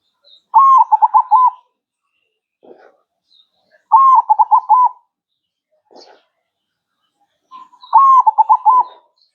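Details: Zebra dove (perkutut) singing actively: three evenly spaced cooing phrases, roughly every three and a half seconds, each a held note followed by a quick run of bouncing short coos, with soft low sounds between.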